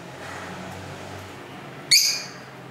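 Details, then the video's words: Lovebirds at home, camera microphone: low street rumble, then a single sharp, shrill squawking chirp near the end. "Love Bird Sounds for 15 Minutes"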